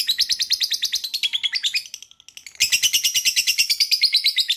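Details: Lovebird trilling, its sound meant to prompt other lovebirds to trill: fast, even run of high harsh notes, about three per second, breaking off briefly, then resuming louder.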